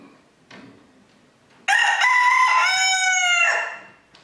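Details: Rooster at the 2022 crowing contest in Villers-la-Ville: after soft background noise, one full, strong cock-a-doodle-doo of nearly two seconds with a brief stutter at the start, ending in a drawn-out note.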